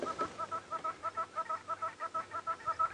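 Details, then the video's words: Very loud hornbills calling in the background on an afternoon live safari drive, 11 July 2016: a steady series of clucking, knocking notes, about five per second, held evenly for three seconds, with faint low rumbling beneath. "we can hear some very, very loud hornbills in the background."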